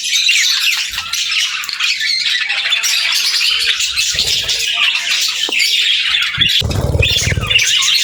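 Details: Budgerigar pairs exchanging chatter: sustained scratchy warbling and chirps, with a few soft thumps and a low rumbling burst near the end, possibly wing flutter.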